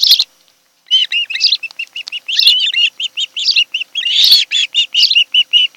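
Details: Ospreys calling at their Kent Island, Maryland nest, July 2018: after one sharp chirp, a long, nearly continuous rapid chatter of clipped whistled notes, several per second, with a few louder overlapping bursts.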